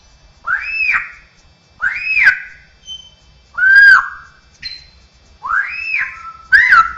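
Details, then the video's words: Straw-headed bulbul, a cucakrowo trained with isian fill-in song, said to mimic other bird species, cats and humans; loud rich whistled phrases, each rising then falling, repeated roughly every one and a half seconds with short gaps of quiet. "suara burung cucakrowo isian dengan suara suara aneh bisa suara burung jenis lain, kucing, manusia"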